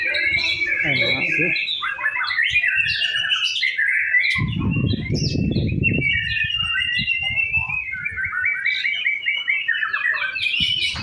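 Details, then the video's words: White-rumped shama singing in a practice singing contest: a dense, fast run of varied whistles, chirps and trills, with a brief low rushing noise burst midway. "Simulasi lomba murai batu"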